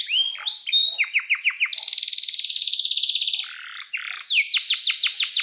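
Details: Lively singing canary with long rolls and sharp 'cuit cuit' notes, played to train young or silent canaries. Falling whistled chirps lead into a sustained high buzzing trill, a brief pause, then more sharp downward-swept notes.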